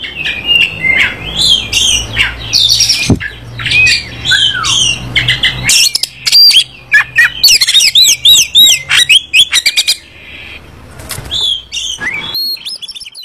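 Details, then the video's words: Green leafbird song used to stimulate a white-rumped shama into singing: a dense, varied run of sharp chirps, squeaky slurred whistles and rapid warbled notes, with scratchy squawks and a few loud clicks. "Cucak Ijo buat Perangsang Kacer Gacor ngerol dan Ngobra"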